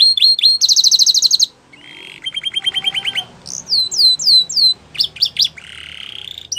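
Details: Belgian canary song in varied phrases: quick chirps, a buzzy trill, a lower rapid rattle, arched whistled notes and a final high buzz, with short gaps between.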